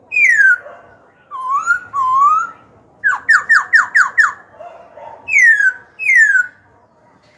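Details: Kept young black-throated laughingthrush singing as a tutor and rival-provoker: a falling whistle, two wavering rising whistles, a burst of six fast down-slurred notes, then two more clear descending whistles.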